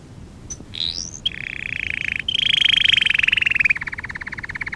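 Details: Canary singing on a training lesson recording for young canaries: brief high whistles and a rising slur, then a buzzy steady trill that turns into a fast rolling trill with clear repeated pulses, sliding slightly lower near the end.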